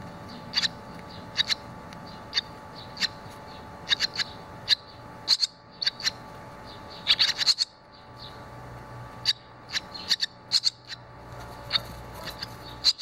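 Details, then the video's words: Barn swallow young around the nest during fledging, with two chicks out and one back after flying; high, piercing chirps in irregular bursts of two to four, brief pauses between, faint low rumble behind. "Andorinhas-das-chaminés (Hirundo rustica) 10: saída do ninho"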